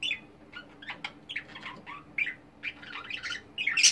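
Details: Caged multicoloured budgies chatter in rapid harsh squawks and chirps, dense bursts broken by short pauses, ending in a louder scratchy squawk; steady faint hum behind.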